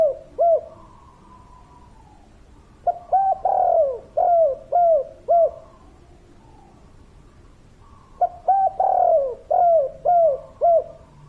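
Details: Spotted dove, a lively local wild-type bird, giving repeated cooing phrases: bursts of three to five soft, rounded coos with a slight downward bend, separated by pauses of a few seconds, in a quiet setting.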